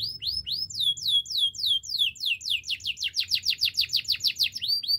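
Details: Canary singing for training: a long run of clear descending whistled notes, starting slow and speeding into a rapid, even trill of falling slurs lasting about five seconds.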